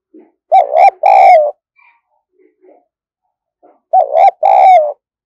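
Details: Spotted dove kept as a decoy, cooing hard to stir up wild birds: a soft opening note, then two strong hoarse coo phrases about three seconds apart, each a short note followed by a longer wavering one.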